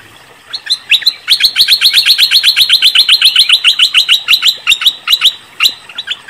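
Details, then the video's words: Luring sound of a cream-vented bulbul, used for trapping: a steady, rapid chain of sharp, bright chattering notes at about two and a half per second, loosening toward the end. "Suara pancingan burung MERBAH LEKIR ngebrend auto nyaut"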